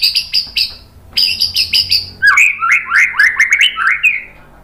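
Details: Masteran of a White-rumped shama used to rouse other shamas: harsh buzzy chattering phrases repeated several times, then a fast string of slurred, warbling whistled notes.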